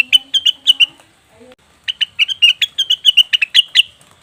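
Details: Cucak wilis or rengganis leafbird calling, used to draw birds into song: a short run of sharp chirps, a brief gap with a faint low tone, then a longer lively series of bright notes.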